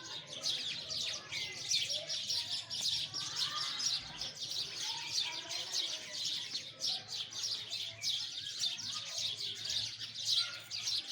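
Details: A sustained sparrow chorus of fast, overlapping high chirps, with the twittering coming in quick bursts without pause.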